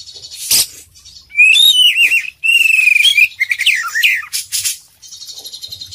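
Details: Oriental magpie-robin of the kacer poci type in lively gacor full-isian song: bright whistled phrases, wavering warbles and rapid trills, varied notes tumbling up and down, with sharp broadband clicks near the start and a faint buzzy chatter at the end.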